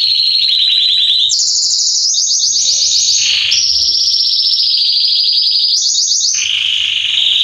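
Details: A male Belgian canary, Salsa type, sings continuously. Its rapid, even trills step up and down between phrases, each held one to two seconds, with no pauses and a soft low hum in the background.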